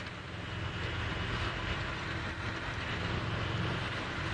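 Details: Loud, steady vehicle rumble and broadband road noise during an early morning safari drive, with no animal voices heard.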